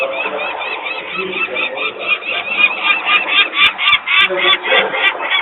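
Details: Alarmed peregrine falcon parents at their nest in Włocławek, Poland, on an afternoon in late May 2022, with workers noisy nearby and young still on the landing. Rapid harsh cackling, about four rasping notes a second, with a few sharp clicks.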